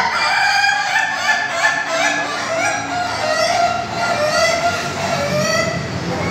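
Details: Several Ayam Ketawa roosters, the Indonesian laughing chicken, kept in pens at a Bogor practice meet: overlapping, rapidly pulsing crows roll on continuously, chopped into quick laugh-like syllables.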